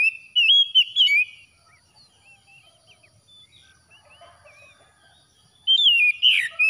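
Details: Oriental magpie-robin after dawn delivering loud whistled phrases in short bursts, then a quiet pause with soft distant chirps from other birds, before another burst of rich warbled whistles and a harsher buzzy note.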